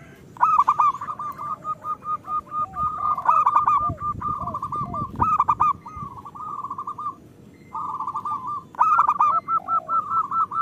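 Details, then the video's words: Local zebra dove song meant to stimulate lazy or moulting birds: long chains of quick, rolling coo notes at a steady pitch, with louder buzzy bursts scattered through and a short pause near the end. "Perkutut lokal gacor"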